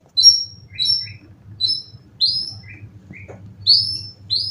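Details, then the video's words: Caged competition white-rumped shama in Indonesia, a bird with twelve contest wins, about three moults old, singing cililin-style material. It gives sparse, high whistled phrases, some sliding downward, with pauses between them and a low hum underneath. "Burung Murai prestasian udh kondisi 90% materi full clilin siap turun Lg!"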